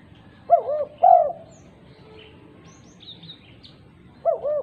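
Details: Female spotted dove calling other doves: a two-part coo and a long stressed coo, a few faint high chirps during the pause, then the double coo begins again.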